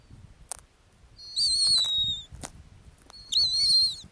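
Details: Two high, piercing whistled notes from a female snowy owl nesting on the Arctic tundra ground, the first falling away, the second wavering, with a few brief clicks between.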